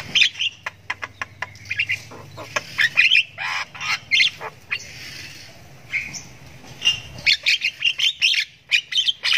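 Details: Javan myna chick giving long ngriwik chatter while learning to call: bursts of harsh, buzzy chirps and squawks in quick irregular runs, some clicks between, with a low steady hum underneath.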